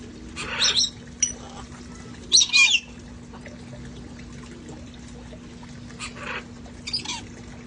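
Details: Sanctuary parrots having fun outside before the weather turned cold; a few raspy squawks and sharp chirps early on, then quieter scattered calls over a constant low hum.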